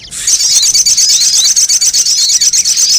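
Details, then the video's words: Sogon sound used to lure wild birds: a sustained, very fast, high-pitched chattering trill, evenly pulsed and steady throughout. "Suara pikat burung sogon 💯% bikin sogon liar berdatangan"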